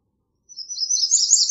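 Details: A single American redstart song: a high, thin run of rapid notes that grows louder toward the end and is cut off abruptly.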